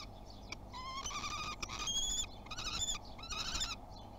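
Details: At a nest box in Théding, a common kestrel on its first visit of 2021, 30 March, gives a series of strained, rising and level whining calls in quick bursts, with soft rustling between them.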